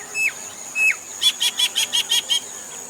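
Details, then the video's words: Indian common myna calling: two sharp whistled notes sliding downward, then a quick run of seven harsh, buzzy bursts, with a steady high insect drone underneath. "Indian Common Myna Birds Calling Sound"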